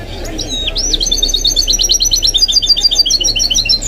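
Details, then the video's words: A goldfinch-canary hybrid (mule) sings a fast, even run of bright, high chirping notes, about three or four per second after a short rising slur, against a low background rumble. "The maestro's singing is amazing - the goldfinch hybrid"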